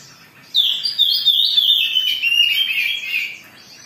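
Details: Agitated Oriental magpie-robin, recorded as a lure to make other birds sing: a loud, rapid run of sweet warbled and trilled notes that starts high, steps lower through about three seconds, then stops abruptly, over a quiet background.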